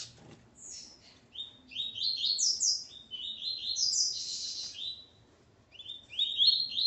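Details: Sustained high song of a male double-collared seedeater (coleiro) with his female present: quick sliding chirps strung into long phrases, a brief lull, then a renewed rising burst at the end.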